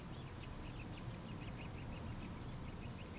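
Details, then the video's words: Nuttall's woodpecker chicks being fed, giving faint, high, rapid chattering notes repeated throughout against a steady low rumble of background noise. "Nuttall's Woodpecker Feeding Chicks"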